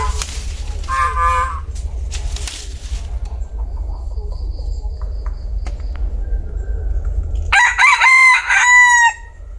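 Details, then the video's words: A bantam cock gives a single full crow near the end, loud and layered, lasting about one and a half seconds with a drawn-out, falling finish. Shorter harmonic calls and scattered clicks come earlier, over a steady low hum. "Tiếng gà tre gáy"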